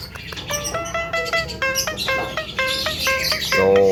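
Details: Young Javan myna singing melodiously in the full isian style, packed with varied fills: a run of short harmonic whistled notes repeated at an even pace, ending in a louder, rougher harmonic burst.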